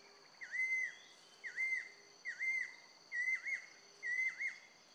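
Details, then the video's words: A female banded kingfisher calls to the male with clear, dipping whistled notes, about one per second, over a steady high insect drone. "Banded Kingfisher (Female)"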